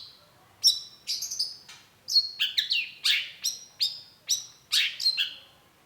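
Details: Cendet, the long-tailed shrike, singing a lure phrase meant to prompt a quick reply: separate loud, sharp, downslurred chirps and squeaky double notes, about two per second, with quiet pauses between them.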